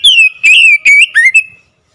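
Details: Oriental magpie-robin song played as a lure to get a silent bird singing: loud clear whistled notes, a long falling slur and then short rising and falling whistles, ending in a brief drawn-out tone.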